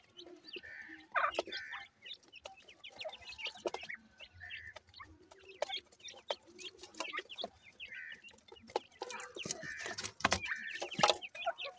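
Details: Grey francolin chicks keep up a busy stream of short clucking and chirping notes, overlapping and uneven, broken by a few louder, harsher bursts.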